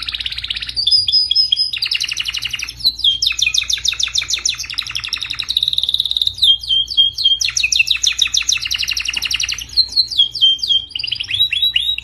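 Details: Canary singing a long training song meant for other canaries to learn from: rolling fast trills alternate with sustained whistled tones and buzzy rattles, phrases changing every few seconds, with no other sounds.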